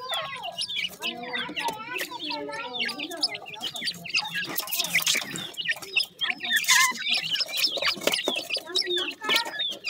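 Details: Baby partridges during feeding, many chicks giving sharp, high falling peeps in a busy overlapping chorus, mixed with lower harmonic clucks and brief bursts of broadband noise.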